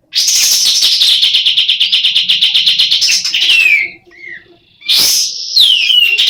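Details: Sooty-headed bulbul, a female semi in breeding condition, delivers a fast rattling train of sharp repeated notes for about four seconds, then a short gap and a loud descending whistled slur.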